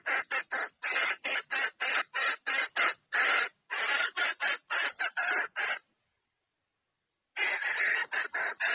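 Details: A hen red junglefowl calls a rooster to mate. A long series of harsh, broadband cackling notes follows in quick uneven succession, then a pause of over a second before the rapid cackles resume.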